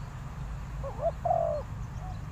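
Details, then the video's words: Decoy spotted dove cooing to draw in wild doves: a single phrase of short wavering notes and then a longer, slightly falling hoot, over a constant low background rumble. "chim cu mồi gáy gọi bổi, Sound Of Cuckoo,Tekukur Pikat Birds"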